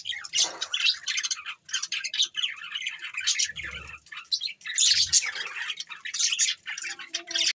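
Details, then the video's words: Standup budgies chattering steadily, with squeaky chirps, buzzy warbles and harsher squawk-like notes, plus a couple of low thuds midway. Dated December 22, 2023. "Bueatiful Sounds Bueatiful Budgies birds"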